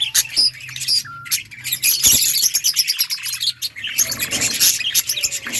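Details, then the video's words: Outdoor budgie colony: many birds chirp at once in bursts of bright, rapid tweets, with brief quieter gaps and a few thin, sustained whistled notes between the clusters. "Parakeet sounds in outdoor colony Budgies chirping sounds"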